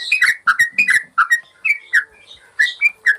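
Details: Yellow-vented bulbul giving its song, a master recording for caged birds: clustered liquid whistles in short bursts separated by brief pauses, rich and throaty.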